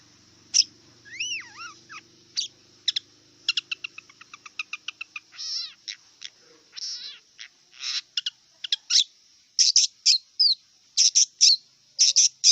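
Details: A wild long-tailed shrike sings a varied, rambling song. Slurred whistles rise and fall, then come quick ticking notes, buzzy rasps and rapid chattering phrases. A faint low hum sits under the opening seconds.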